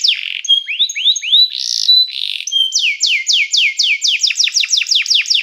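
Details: Canary singing to call other canaries to join in, used for training: buzzy notes and rising slurs, a harsh burst, then a steady run of downward-sweeping whistles quickening toward the end.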